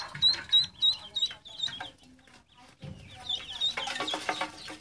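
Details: High, clear peeps from ducklings repeat rapidly at first, pause, then return amid a rush of broadband rustling noise.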